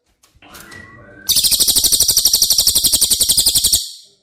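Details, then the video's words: Cililin song used as masteran training material for caged White-rumped Shama: after soft faint chirps, a loud, high, rapid trill of evenly spaced dry notes runs for about two and a half seconds, then stops abruptly. "Masteran CILILIN Materi Wajib untuk Burung Murai Batu anda!!"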